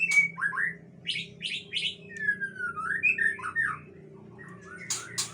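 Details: Agitated long-tailed male Aceh white-rumped shama delivers loud clear whistles and slurred two-part notes, some sliding downward, mixed with several harsh buzzy rasps and a faint background hum.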